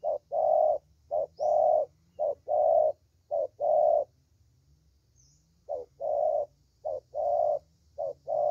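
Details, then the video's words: Young lure spotted dove valued for its voice, delivering rhythmic soft coos, short then long, in two runs broken by a brief silence, with a steady low hum behind. "Thổ Tơ Tốt Tiếng"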